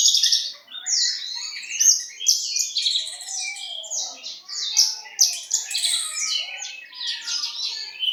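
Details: East Javan Horsfield's bushlark singing busily: a dense, unbroken stream of sharp chirps, rising and falling slurs and rattling trills, all high-pitched.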